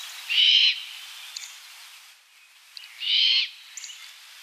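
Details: Great Horned Owl, an adult female watching over a young fledgling at twilight: two harsh, hissing screeches, each about half a second long and nearly three seconds apart, with faint chirps between.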